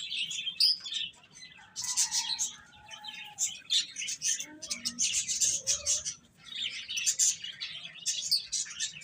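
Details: Chicks eating and playing chatter in thin, high chirps, overlapping in bursts separated by short lulls, with a few lower drawn-out whistles in the middle.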